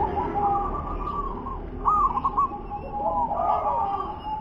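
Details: Zebra dove, a local bird singing in wer-ke-te-pek style, gives overlapping burbling coos, one louder trilled phrase in the middle, while low-pitched background noise runs underneath.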